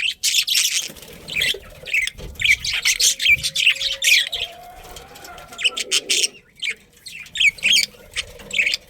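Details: Budgerigar breeding colony chirping busily: dense runs of high, quick chirps and squeaky warbles repeat throughout, with a brief quieter middle stretch before the chatter returns.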